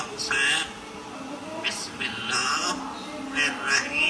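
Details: An African grey parrot imitates human speech, reciting Quranic verses (Al-Fatihah, Surah Al-Ikhlas) in short, clear, chant-like phrases about a second long with brief pauses; the room is otherwise quiet.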